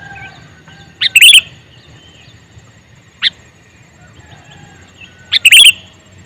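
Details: Male sooty-headed bulbul calling: two full bubbly chirped phrases about four seconds apart. Between them comes one brief sharp note, over a calm, otherwise quiet background.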